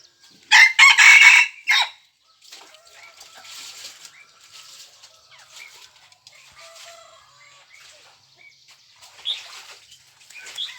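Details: Red junglefowl rooster recorded on 3 March 2020, giving one loud, harsh crow of several broken syllables lasting just over a second, followed by faint chirps and scattered background sounds.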